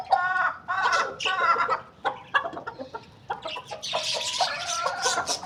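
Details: Chicken calling in the morning: loud, rasping clucks in clustered bursts during the first half, then softer clucks under a busy chatter of small birds chirping.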